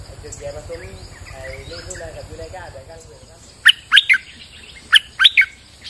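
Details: During rain, a bulbul sings two brief clusters of three sharp, liquid whistled notes, preceded by a man talking.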